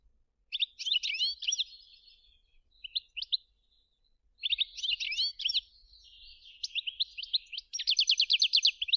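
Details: European goldfinch kept in captivity by a songbird breeder in a village, singing a bright twittering song of quick high chirps and liquid trills in bursts, ending with a fast rattling run of repeated notes, otherwise quiet.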